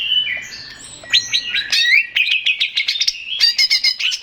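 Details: Greater green leafbird, male, singing to lure others into replying: soft overlapping whistles give way to a lively sequence of sharp, evenly pulsed chirps and brief trills.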